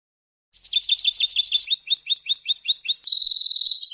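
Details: European goldfinch singing, from a song CD: a fast run of liquid, rolling twittered notes repeated several times a second, ending in a sustained buzzy, tinkling trill; no other sounds.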